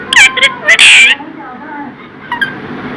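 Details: Pet talking parrot saying the words "Radhe Radhe": two loud, harsh, nasal bursts in the first second, then near quiet with faint background noise and a brief soft sound near the end.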